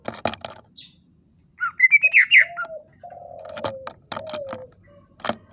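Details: Greater green leafbird singing: sharp clicks open, then a quick burst of high, bright whistled notes, followed by lower drawn-out slurred whistles broken by more clicking notes.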